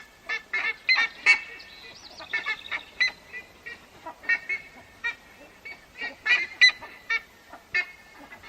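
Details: A Sacred ibis (Threskiornis aethiopicus) gives harsh, honking croaks in quick irregular bursts.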